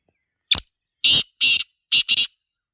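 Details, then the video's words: Harsh five-note call of a wild black francolin (Sindhi teetar) in nature: brief piercing first note, two broad scratchy longer notes, then a fast double note ending the phrase, otherwise silent. "Black Francolin Calling in Nature"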